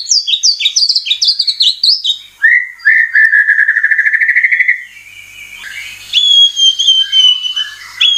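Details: White-rumped shama song as a lure to make birds sing. Rapid high rising phrases lead into a long steady rattling trill, then faint noise and a sustained clear whistle.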